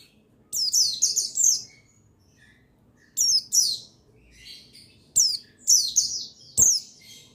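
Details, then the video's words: Male buxtoni white-eye (pleci) sounds meant to trigger singing; quick bursts of three or four high, descending twittered notes, repeated after short silences, the last phrases sharper and single. "Buxtoni Menaikan Emosi Burung Pleci Bahan Agar Pleci Bustomi Gacor Cepat Bunyi"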